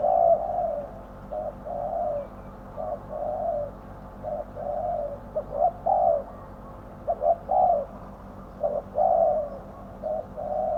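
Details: Spotted dove kept as a decoy to draw wild doves to a trap. It gives a steady series of soft, low coos, some short and clipped, others longer and slurred, in uneven groups of two or three notes.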